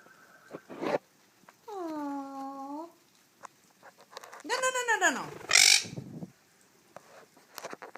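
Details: Pet quaker parrot laughing: a drawn-out tone with stacked harmonics dipping and rising, then a loud harmonic burst that arches down, followed by a sharp high squeak, with spoken words like "baby" and "pretty" around it.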